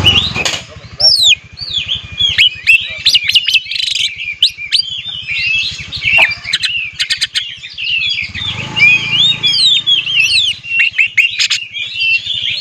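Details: Lure recording of oriental magpie-robin song for provoking other magpie-robins to sing: a long varied sequence of sharp whistles, trills and slurred notes, peppered with quick clicks and a low buzzing pulse.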